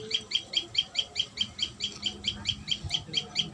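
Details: High, sharp chirps repeated rapidly and regularly by a common tailorbird at the nest, about four per second, over faint low background noise.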